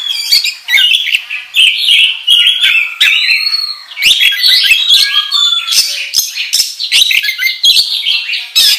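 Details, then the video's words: Oriental magpie-robin singing a frenzied ngobra-style lure song: a continuous rich jumble of mimicked whistles, trills and harsh chatter, loud and almost unbroken throughout. "Pancingan Kacer Gacor Ngobra Menggila"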